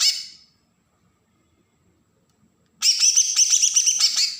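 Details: A green leafbird from Berau, Kalimantan, sings the agitated besetan song that provokes untrained birds: a trailing note, a long silent gap, then a sustained, loud rapid chatter of shrill pulsed notes.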